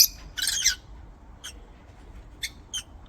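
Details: Lovebird chirping from an aviary: one loud rasping burst of chirps near the start, then scattered thin, short chirps spaced about a second apart over a faint steady hum.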